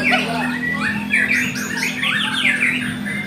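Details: Contest singing from a White-rumped shama: rapid, loud whistled phrases with falling and rising slurs, repeated in bursts over a steady low hum and other bird voices.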